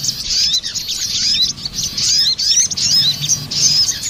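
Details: Female and male crested jays answering each other, a lure recording for bird trapping; dense run of high, thin chirps and squeaky slurred notes overlapping almost continuously, with short breaks, over a low rural hum.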